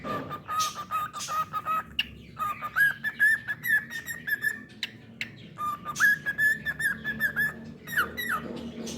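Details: Pet cockatiel giving repeated clear whistled notes, mostly level with short upward slurs, in rapid runs of several per second, interrupted by sharp clicks and brief noisy bursts, with a low indoor background rumble.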